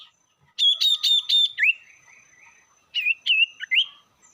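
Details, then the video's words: Lure song of a sirtu meant to anger rival birds: a run of clipped high stuttering notes ending in a falling-then-rising whistle, then after a short gap several twisting whistled notes. "pancingan burung sirtu bikin emosi lawan"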